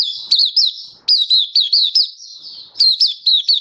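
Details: Malaysian white-eye singing in Singapore in warm, sunny, stable weather on 20 March 2023. High, bright, twisting notes come in rapid clusters over a continuous thin warble, with brief pauses between phrases.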